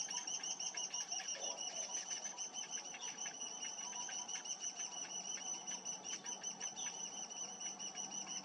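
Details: Cinnamon bittern chick begging while being fed by its parent: a rapid, steady stream of thin, high, pulsed squeaks, about three per second, continuing without pause, with a faint low hum beneath.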